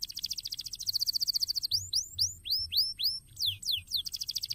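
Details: Canary singing in a cassava garden: a rapid high trill, then loud curved upslurred whistles repeated about three times a second, a few steep falling sweeps, and a return to the fast trill.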